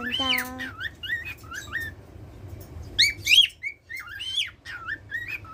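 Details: Cockatiel at home, said to sing every day, opens with a brief low nasal squawk. Then come falling whistled notes, a short lull, and a further burst of bright rising and dipping whistles.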